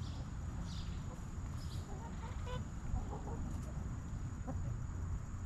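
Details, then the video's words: Hens in a backyard coop giving soft, brief clucks scattered across a few seconds, low-pitched and quiet, set against a constant deep background hum. "Rooster Crowing! Hens Clucking!"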